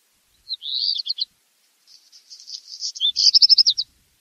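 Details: Black redstart song in two strophes: a warbled phrase with a brief stuttering end, then after a pause a soft crackling buzz leading into a sharp repeated rattling burst of high notes.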